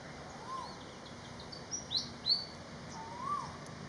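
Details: Song of a Malaysian pied fantail, with three clear high whistles bunched near the middle, each rising or falling briefly. Softer, lower drawn-out whistles sound before and after them over constant faint hiss.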